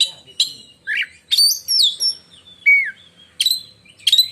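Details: Caged black-and-white oriental magpie-robin in Indonesia giving piercing 'menyambar' song: separated notes spaced about every half-second to second, including high whistles, a downslurred mid note and sharp rising chips.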